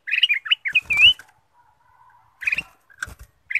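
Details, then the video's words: Golden bulbul lure song: a quick burst of liquid, slurred notes ending in an upward whistle, then silence, followed by two short phrases mixed with sharp wing-flutter or clatter noises. "pancingan kutilang emas"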